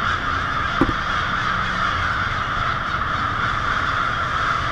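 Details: Massed American crows, hundreds or thousands, settling noisily for the night on a Lansing, Michigan street in February 2016; a constant roar of overlapping caws, broken once early on by a sharp click-like knock.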